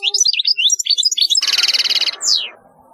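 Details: Quick liquid twitters from a European goldfinch, then a dry buzzy trill lasting under a second, ending in a falling slurred note.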